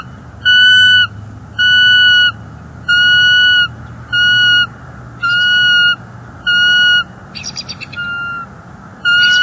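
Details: Bald eagles at a nest in Northeast Florida, January 2024, with an intruder eagle vocalizing from the lookout branch and the nesting female calling. Steady whistled notes repeat near once a second, broken once by a brief rapid chittering burst.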